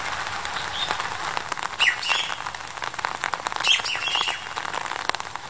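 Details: Masked Laughingthrush in February 2021 giving harsh, scratchy squawks in two short bursts over a steady crackling, chattering background.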